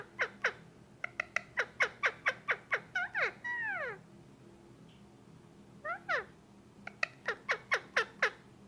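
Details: Male Indian ringneck parakeet, about a year and a half old, kept as a pet indoors, calling while being petted: rapid series of sharp descending chirps, a few drawn-out arched squawks, then more quick repeated clicky notes.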